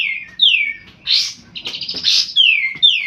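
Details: Kolibri ninja sunbird, a lively singer used to prompt young sunbirds into song, giving clear downward-sliding whistles interspersed with harsh buzzy bursts.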